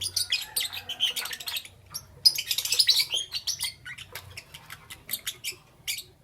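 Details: Pet lovebirds chirping in the morning: dense, high, scratchy chirps and squeaky twitters crowding together in rapid bursts, with a brief pause near the middle before the busy chatter resumes.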